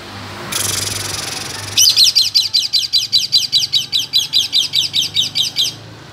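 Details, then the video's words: A lovebird, possibly a female, gives an ngekek call: a long, shrill, siren-like trill like an ambulance, with rapid rising-and-falling notes about four a second for four seconds, after a brief burst of hiss. "suara burung lovebird ngekek seperti sirine mobil AMBULANCE"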